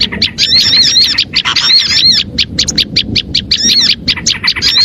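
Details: Small birds calling, used as a lure to draw in other small birds: busy, overlapping high chirps and wavering whistled phrases come in quick bursts, broken by brief gaps.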